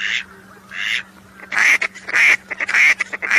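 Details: Whistling duck calls as a hunting lure: two softer notes, then loud bright whistled calls mixed with quick short notes, over a faint steady hum.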